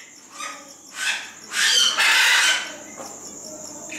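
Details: Superb starling at Děčín Zoo giving harsh, grating chatter in two loud bursts near the middle, with faint softer notes before and after over a steady high hiss.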